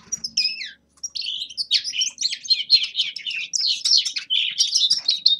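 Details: Winter warm-up song of a young male common linnet: two descending whistled notes, a short pause, then a lively, fast stream of twittering chirps and trills.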